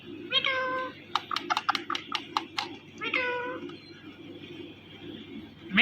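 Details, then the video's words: Indian ringneck parrot making mating sounds: two nasal, meow-like harmonic calls about three seconds apart, separated by a burst of sharp clicking pulses, ending with a brief rising squeak. "Ringneck Parrot Talking & Making Mating Sounds"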